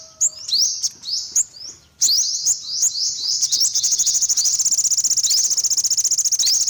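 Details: An olive-backed sunbird gives high upward-sweeping calls, then breaks into a long, fast, even trill of high ticking notes.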